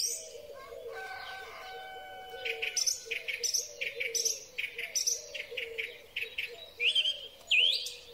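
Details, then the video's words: Spring song of a song thrush, phone-recorded: a short run of quick, choppy notes repeated many times, then rising whistled flourishes, with long steady tones early on and low cooing underneath. "Drozd Śpiewak. Wiosenny koncert ptaków."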